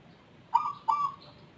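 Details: Zebra dove whose voice differs from local and Bangkok zebra doves: two soft, clipped notes, each drawn out into a smooth level cooing tone, over faint background noise.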